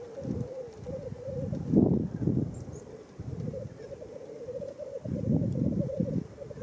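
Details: At a Welsh black grouse lek, World's End, April 2017: an unbroken, cooing, rolling chorus with repeated low, gruff bursts clustered near the start and the end.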